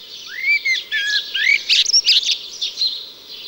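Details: In mid-May in the high Allgäu, around a farm with meadows, a common blackbird sings melodically: clear, rising whistled phrases breaking into twittery notes, accompanied by the busy high chirping of sparrows.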